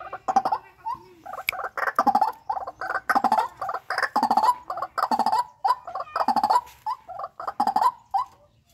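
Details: White-breasted waterhen from a captive breeding flock keeping up a long run of harsh, throaty croaks in rhythmic clusters, fairly even in loudness throughout.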